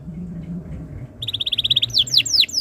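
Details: Canary master song, meant to prompt other canaries to sing: after a quiet start, a quick even trill of bright notes breaks into loud falling whistled sweeps.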